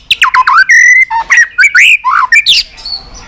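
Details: A white-rumped shama pours out a varied song of many voices in a clicking fighting display. Short sharp notes lead into a steady held whistle, then swooping, rising and falling phrases with harsher flourishes near the end.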